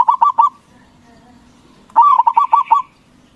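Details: Loud local zebra dove song meant to provoke rival doves into answering; a brief burst of fast coo notes, a pause of over a second, then a longer string of about seven rolling, evenly paced notes.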